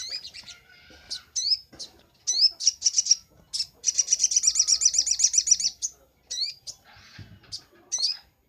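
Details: Vigorous crimson sunbird song from a master recording for training birds: repeated thin, sharply sweeping high notes, then a fast, dense, ringing high trill lasting about two seconds, ending with a few more sweeping notes.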